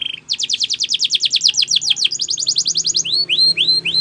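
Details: Belgian canary singing as a training song to prompt other birds to sing: a short steady whistle, then a fast rhythmic trill of sharp descending notes, followed by slower rising slurred whistles.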